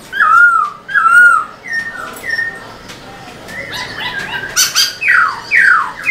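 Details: Captive black-throated laughingthrush in lively song to train other birds: two strong descending whistles, a few softer flat notes, then bursts of harsh chattering and two loud rising-falling slurs.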